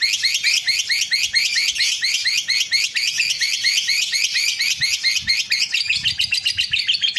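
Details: Lovebird ngekek aimed at a rival: a rapid sequence of sharp, upward-flicking high notes repeated several times a second in a steady unbroken stream.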